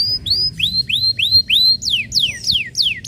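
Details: Canary song used to lure other canaries into singing: clear whistled upward-sweeping notes repeated rapidly, then a run of descending slurred whistles, all high-pitched.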